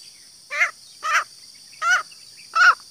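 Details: Green junglefowl hen calling to draw in males, four separate short raspy clucks spaced about half a second apart, each slightly bent in pitch, with a constant shrill hiss behind.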